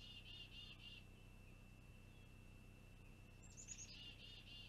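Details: A long-eared owlet, waiting for a parent to bring a meal, on an Owl Research Institute nest cam on 26 June 2020, gives a thin, high, squeaky whistle, drawn out and repeated in short bursts, over a steady low hum.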